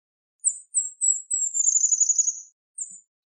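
A fairywren sings very high, thin notes that run into a fast, slightly falling reeling trill.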